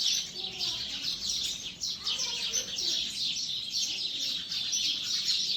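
Sparrows chatter in a dense, continuous chorus of high, overlapping chirps with no pauses, like a busy flock calling together.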